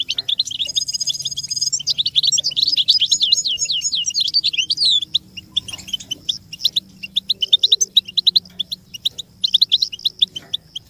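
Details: Song of the American goldfinch, played for teaching chicks to sing: a bright, rolling burst of high warbled twitters during the first five seconds, then a thinner, evenly spaced series of quick chirps.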